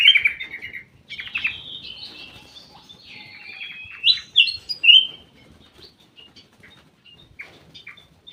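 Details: Ruby-throated bulbul kept in a private aviary, giving a lively run of chirpy, warbled notes that slide up and down, with a louder burst of bright phrases near the middle, then softer scattered chips.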